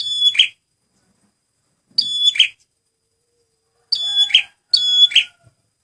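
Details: Prenjak merah (red prinia) male used as a lure: four sharp whistled notes, each sliding into a buzzy trill. The last two follow close together, with a faint lower tone beneath.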